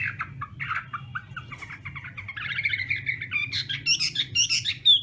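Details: Morning practice song of a Chinese hwamei: a rapid jumble of chattering, tumbling notes that grows louder and brighter toward the end, with a faint low hum underneath.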